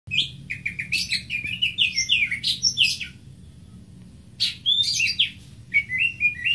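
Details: Greater green leafbird singing: a fast run of high whistled and chirping notes with sliding pitches for about three seconds, a short pause, then another burst of varied warbled phrases ending in short repeated rising chirps.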